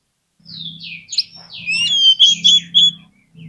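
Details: Oriental magpie-robin song played to coax a lazy magpie-robin into answering: a run of varied high whistles and slurred notes, ending in sharp bright whistles, over a steady low hum.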